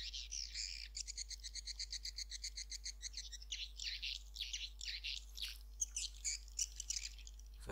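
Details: Swiftlet lure sound of the Malaysian style used in swiftlet farming: rapid high chattering twitters in regular pulses, with a steady low electrical hum beneath.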